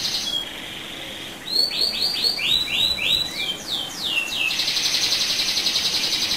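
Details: Rolling canary song meant to provoke other canaries: a short buzzy roll and steady tone, then a series of about nine quick upswept whistled notes, ending in a loud continuous rolled trill.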